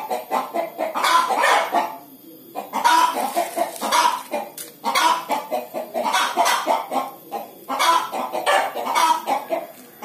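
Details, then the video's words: Hen cackling before laying an egg: loud, raspy clucks in rhythmic bursts, broken by short lulls about every few seconds. "Ayam Betina Mau Bertelor - Hens"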